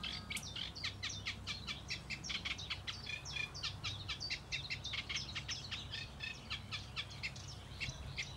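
A Eurasian reed warbler sings a steady, rhythmic chatter of scratchy, repeated notes, each phrase given two or three times, over a low background hum.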